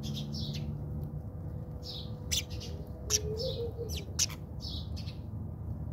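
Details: Backyard fight among house sparrows in South Africa: rapid chirps and a few clicking, snapping notes, loud bursts near the middle, against a low background hum.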